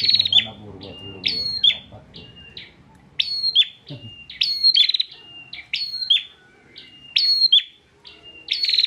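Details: Bar-winged prinia, owned in Pemalang, Central Java, singing hard as a training tutor: regular buzzy rasping phrases each ending in a level whistle, with brief low background sound early on.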